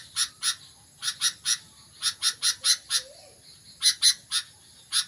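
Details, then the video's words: Sooty-headed bulbul beginning to sing hard, giving scratchy broadband chip notes in loose groups of two to four, with short pauses between groups and a thin constant high tone behind. "BURUNG KUTILANG MULAI GACOR"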